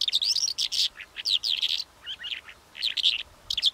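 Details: Calandra lark delivering a rapid, varied song of high chirps and slurred whistles, repeated in short bursts, against a faint hiss.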